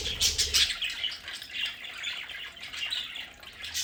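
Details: Pet budgerigars in their home play area chatter busily, with dense bursts of high chirps and squawky notes overlapping in quick irregular succession and a brief low rumble at the start.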